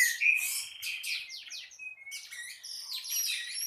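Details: Orange-headed thrush in a short morning burst of intense singing: a loud opening whistle, then quick scratchy chirps and clear slurred notes crowded closely together.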